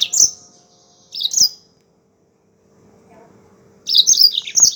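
Yellow-fronted canary singing short, bright, high twittering phrases, two quick bursts then a longer run of tinkling notes, over a faint steady hum.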